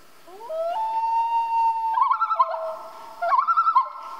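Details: Common loon calling at night: a long, steady wail that steps up in pitch, then breaks twice into quavering, wavering tremolo notes, clear against a quiet background.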